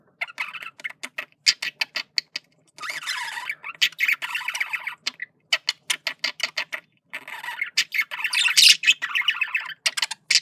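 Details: Male budgerigar flirting: fast ticking clicks lead into long runs of scratchy, buzzing warble, pausing briefly, then resuming with a higher, shriller burst.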